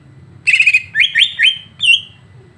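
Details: Song of the greater green leafbird, aimed at provoking another leafbird: a fast bubbling trill, three upswept looping whistles, then a final bright wavering note, over low background hum.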